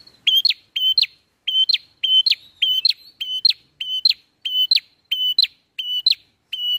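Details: Ngalun-style bar-winged prinia song, played to lure and trap birds: about a dozen quick phrases in steady succession, each a short level whistle ending in two sharp rising notes, clean with no background.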